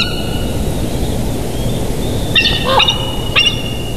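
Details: Bald eagle at a nest in Big Bear Valley, filmed by a live nature cam on 8 July 2023 at 07:57; two short bursts of high, harmonic chittering notes over steady background hum and faint songbird whistles.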